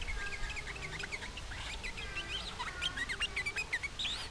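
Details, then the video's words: Sooty-headed bulbul taunting rivals so other bulbuls reply: lively run of liquid, bubbly notes that slur up and down, some sharp whistled upslurs near the end, over a faint low hum. "SUARA TRUCUKAN GACOR MENGEJEK LAWAN RAJANYA BIKIN NYAUT TRUCUK LAIN"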